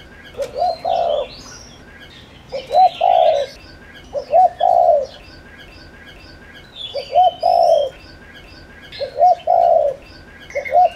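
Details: Decoy spotted dove, a village and rice-field bird, calling to draw wild doves. Low, mellow three-note coos with two short lead notes and a drawn-out final note, repeated in irregular bursts over high chirping of other birds.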